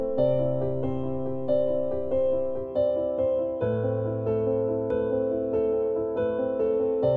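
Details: Gentle keyboard music plays steady sustained chords with soft piano notes, and no animal voices are heard.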